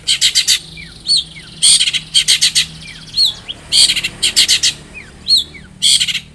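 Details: Long-tailed shrike in full, lively song, played as a lure to make other shrikes sing: harsh, buzzy broadband bursts in quick clusters, mixed with short downslurred whistles, repeated about every two seconds.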